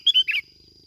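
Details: Bulbul lure recording from Bình Thuận, 'kít bổi' style: a very short clear whistled two-note rise, then a burst of buzzy warble.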